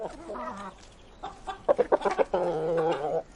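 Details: Feeding chickens: a low, wavering cluck opens, then a quick run of sharp pecking taps, then a sustained, nasal, harmonic call rounds it off.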